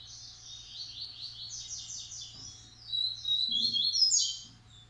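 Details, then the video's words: Massai and baiano style Coleiro song from Maranhão: a steady run of repeated high buzzy notes, rising into a louder stretch of sharp chirps and trills, with faint knocks in the background. "Coleiro Massai x Coleiro baiano"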